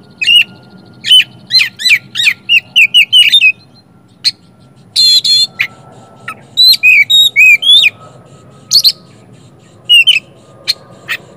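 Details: Oriental magpie-robin singing to stir quiet magpie-robins into song: fast clusters of sharp whistled notes, a scratchy buzzy burst, then varied falling whistles and scattered short clicks, loud and clear against quiet low background noise.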